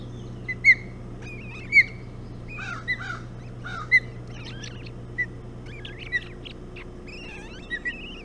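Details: Ospreys feeding on a bullhead at the Hog Island nest in the early morning of 11 June 2017. Sharp whistled chirps repeat roughly every second, with some slurred and fainter notes between, over a constant low background hum.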